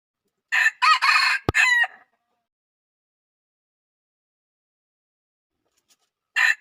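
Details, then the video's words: Loud crowing of a wild red junglefowl cock: a rasping four-part crow lasting about a second and a half, one sharp click within it, then silence before a new crow starts. "Suab lau qaib qus qua zoo heev"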